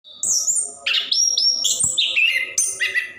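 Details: Orange-headed thrush, a caged songbird in continuous full song used to prompt other caged birds to sing; varied whistled and buzzy phrases jumping between high and mid pitches, delivered rapidly without pause.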